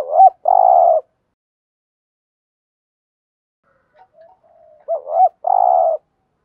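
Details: Spotted dove cooing for stimulating other doves to call: a hooked note and long burry coo, a long silence with faint soft notes, then the same phrase repeated.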